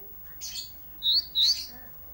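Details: Olive-backed tailorbird singing steadily for isian song training: a raspy chirp followed by two clear, high whistled notes, the second slightly rising, against faint background hiss.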